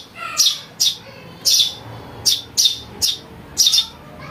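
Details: Calls of a Eurasian tree sparrow chick, used to lure birds for trapping. Nine high, shrill chirps come in clusters and singles over a soft hum.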